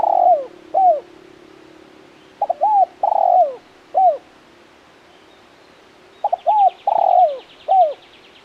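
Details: Spotted dove repeating its cooing phrase three times over about eight seconds, each with quick opening notes and falling, hooked coos, with a steady background hum and a brief buzzy rasp near the end.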